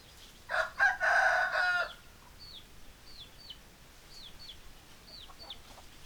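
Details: Chicken: hens and roosters. A loud, harsh, harmonic-rich crow lasts about one and a half seconds. Afterward come a string of thin, high, downward-sliding peeps, repeated several times per second, over faint background noise.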